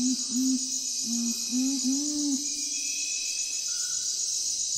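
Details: Nocturnal curassow (Nothocrax urumutum) gives a series of deep, soft hoots: several short notes, then longer drawn-out ones, with a steady high insect buzz throughout.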